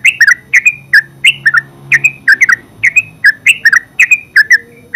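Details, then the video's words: Yellow-vented bulbul, called terucuk, giving loud ngeropel song: lively chattering chirps in quick pairs and triplets, each note sliding down, repeated steadily without pause over faint low hum. "Terucuk full suara ngeropel terbaru 2023"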